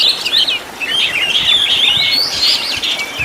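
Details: Short burst of kacer (Oriental magpie-robin) master song for teaching caged birds, rich in 'tembakan' fill-ins: warbling, wavering high notes running together into a steady rising whistle.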